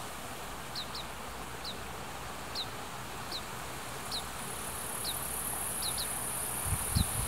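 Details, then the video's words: In Hiratsuka, Kanagawa, Japan, Oriental greenfinch fledglings follow parents begging for food, captured by an internal microphone. Sharp, high, falling notes sound singly and doubled, with faint wind noise and a low thump near the end. "カワラヒワ 巣立ち雛が餌をおねだり"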